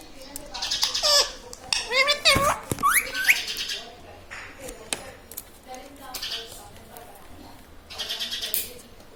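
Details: Talking pet parrot, said to say mummy, papa and radhe radhe; bursts of whistled, sliding notes and speech-like chatter come in clusters, with quieter gaps and faint background between.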